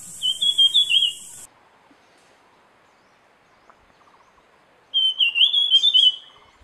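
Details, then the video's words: Jungle flycatcher in the wild giving two bright, fluttering whistled phrases of rapid up-and-down notes, with a quiet gap between them. A high hiss accompanies the first phrase, and faint twittering accompanies the second. "𝗞𝗶𝗰𝗮𝘂 𝗕𝘂𝗿𝘂𝗻𝗴 𝗧𝗹𝗲𝗱𝗲𝗸𝗮𝗻 𝗠𝗲𝗿𝗱𝘂 𝗝𝘂𝗻𝗴𝗹𝗲 𝗙𝗹𝘆𝗰𝗮𝘁𝗰𝗵𝗲𝗿"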